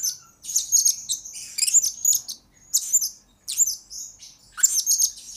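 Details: Captive blue-crowned hanging parrot, a lure bird whose voice serves as a master recording for younger birds: thin, piercing twittered phrases and squeaky trills, about five bursts with short gaps between.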